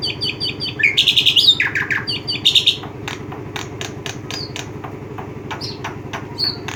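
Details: Black-winged myna producing a burst of grating squawks and whistled notes, then sparser clicks and short high chirps, while a low continuous hum runs underneath.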